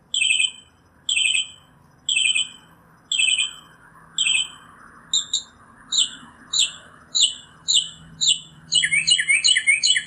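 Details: Northern mockingbird song: a sharp clipped note repeated about once a second many times, changing to a different quick note series, then a rapid jumbled run at the end; faint low background hum.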